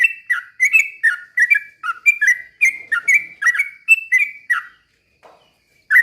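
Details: Ropel pelan song of a Sooty-headed bulbul, used to goad other bulbuls into song. A lively string of liquid, downslurred whistled notes that falls silent for a second before one final note.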